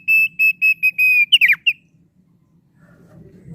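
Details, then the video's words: Thick-billed heleia singing a lively, melodious song: a run of six steady whistled notes on one pitch, then a quick cluster of sharp downslurred notes, followed by quiet with low background rumble. "Suara Burung Opior Paruh Tebal Gacor Merdu"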